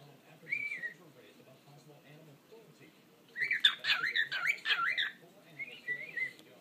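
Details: Pet parrot singing indoors: a short whistled warble, then a busy two-second burst of rapid rising and falling chirps and whistles, ending with a softer wavering whistle; low room hum beneath.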